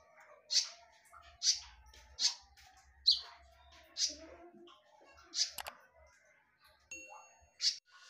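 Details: Konin song for luring, called sharp and loud: emphatic high bursts spaced under a second apart, a sudden click midway, then a short pause before a final note and one thin whistle.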